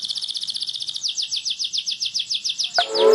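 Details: Canary with a tight cuit-cuit roll, a training lure for young birds: a fast high trill shifts into evenly spaced sharp downswept chips. A sudden knock and a short tonal noise follow near the end.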